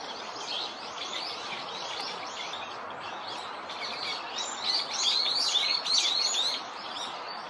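A Chinese Grosbeak grinds its beak: a fine, rapid, scratchy chatter, high and continuous, swelling a little louder toward the end over faint background hiss.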